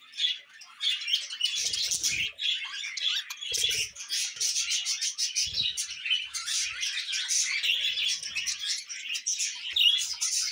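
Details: Nonstop budgie chatter of bright, scratchy chirps and trills crowding together, with a few faint low taps in the background.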